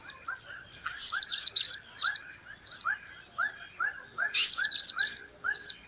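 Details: Blue-crowned hanging parrot singing in 2015: clusters of sharp, high, squeaky notes in two bursts, with evenly spaced short chirps repeating underneath throughout.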